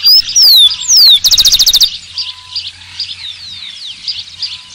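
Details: A rufous-collared sparrow opens with sweet falling whistles and finishes with a rapid, rattling trill of even notes. A softer background of many chirping birds follows.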